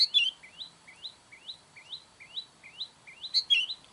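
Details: Calling sooty-headed bulbul used to attract wild ones: loud scratchy burst calls at the start and the end, with evenly repeated short rising chips between them.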